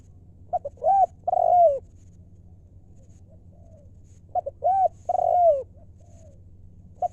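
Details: Spotted dove from wild decoy stock, calling in the Thai 'lew' style known as 'mor lam': two short clipped notes, then two long, low, arched coos, the phrase repeated twice about four seconds apart over a faint low hum.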